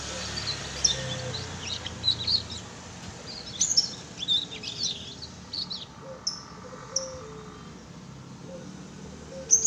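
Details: Young canary, a chick about one and a half months old, practising its first song: soft, high scratchy twitters and brief chirps in loose clusters, then sparse single notes, with a low background hum.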